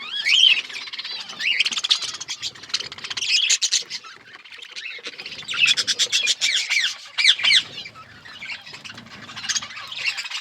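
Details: Several budgerigars eating seeds in an outdoor aviary in a forest environment, keeping up loud, buzzy warbling chatter and squawks, with fast trilling bursts and wavering whistles in waves.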